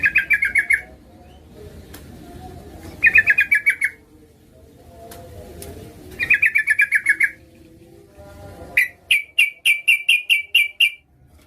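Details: Female Yellow-vented Bulbul calling to a male, used as a lure to draw males into calling: bursts of fast buzzy pulsed notes, around a second long, repeated four times, the last a string of separate sharp chips, over a low background hum.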